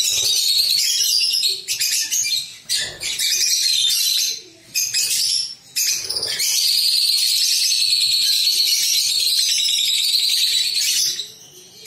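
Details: Captive pet lovebirds, a group, producing continuous shrill, buzzy chattering with high rasping calls, broken by short quiet gaps around three, five and six seconds, then a long sustained stretch of dense squeaky twittering.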